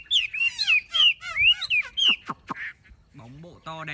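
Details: Big-bodied caged Chinese hwamei with its tail fully fanned sings arching whistled notes, then sharp down-slurred strokes and a few harsh nasal sounds at the end.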